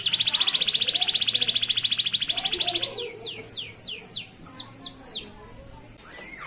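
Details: Male local canary song for tutoring young canaries: a loud fast buzzy trill for three seconds, then spaced down-slurred whistles and softer twitters.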